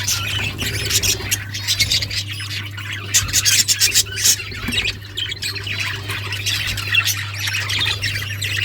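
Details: Nonstop scratchy chatter and squawky chirps come from budgerigars in a breeding setup, over a continuous low droning hum.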